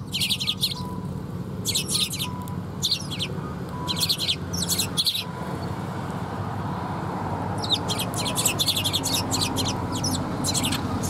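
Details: Sparrows arriving for food at a Tenmangu shrine, 2 November 2021, give rapid clusters of bright, high chirps in bursts, denser toward the end, over a constant low rumble of background noise.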